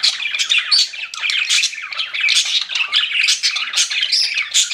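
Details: Pet budgies in full chatter: overlapping scratchy squawks and bright warbled chirps packed closely, loud and constant throughout.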